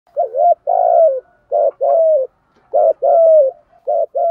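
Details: Spotted dove decoy bird cooing to lure wild doves: deep, mellow two-part coos, a short note then a longer falling one, given in four quick pairs with brief pauses between them.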